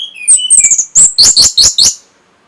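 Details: Orange-headed thrush song used to raise breeding drive and trigger answers: a few descending whistles, then a string of loud, sharp, high clipped notes repeated in quick succession.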